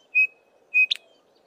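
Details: Chinspot Batis foraging in tall Acacia trees, part of a small calling group; two loud, level whistled notes roughly 0.6 seconds apart, the second cut off by a brief harsh chip.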